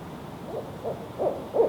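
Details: Low hoots from a male barred owl, four in a row, growing steadily louder and slightly closer together, against a faint hissing background.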